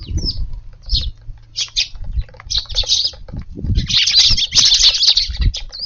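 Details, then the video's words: Eurasian tree sparrows feeding in a garden in the evening on a warm April 14th, arriving in turns before heading to roost: lively overlapping chirps, sparse at first, then a dense busy chatter, with soft wing flutters and thumps. "スズメが庭に来ました！ No438 4/14 夕ごはんのチュンたちです"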